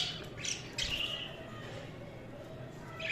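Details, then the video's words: Budgerigar chirping, softer and more distant: a few squawks and a drawn-out warble early on, then quieter chatter over a low background hum. "Budgies Sounds| Budgies Chirping sound | Budgies natural sound"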